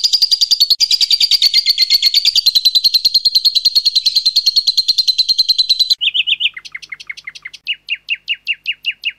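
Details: Lovebird long ngekek trill for training: a continuous fast rattling trill held about six seconds, then a series of separate sharp descending chip notes.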